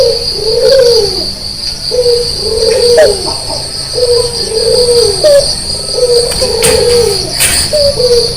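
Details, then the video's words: A red-eyed white Barbary dove coos vigorously at daybreak. Smooth, low, rising-then-falling notes come roughly twice a second in short runs, backed by a continuous high cricket-like whine. "pagi pagi gacor membangunkan orang tidur - burung puter putih mata merah"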